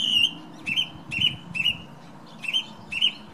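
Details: Male thrush singing in the morning outside a bedroom window on a windy day: a clear, slightly falling whistled phrase with sharp high notes, repeated six times at about half-second intervals, over a low rumble of wind.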